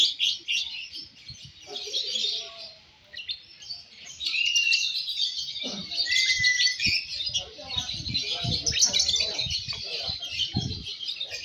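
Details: Lovebird in the Balibu class singing at a bird singing competition: a long, dense, fast chattering trill, high-pitched and buzzy, running almost without pause, with people talking softly in the background.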